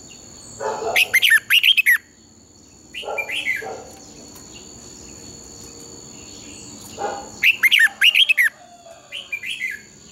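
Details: A red-whiskered bulbul, used as a training bird for morning song, sings bursts of bright, warbled whistles in long, twisting double-voiced phrases with quick rising and falling notes.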